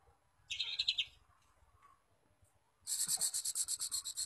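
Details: Lure song of a white-rumped shama meant to make other shamas sing boldly: a short buzzy rattle, a pause, then a long, evenly pulsed, harsh high trill repeated about nine times a second.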